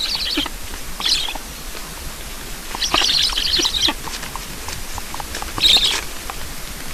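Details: Black storks at their nest in Estonia while being fed, 9 July 2019, 7:15 in the morning. Short clusters of high, rasping chirps come in separate bursts a second or so long, with quieter pauses between them.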